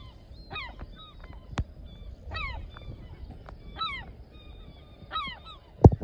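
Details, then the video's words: Female herring gull nesting near a shed entrance on an island bird sanctuary, eggs not yet hatched, gives loud, harsh downslurred yelps every one to two seconds at an intruder, with wind rumble and a knock near the end. "Herring gull talking smack"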